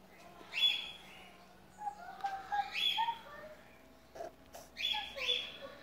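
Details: White-faced cockatiel chicks taken from the nest to be hand-fed and tamed: harsh raspy calls repeated at irregular intervals, each a broad hissing burst, over a steady background hiss.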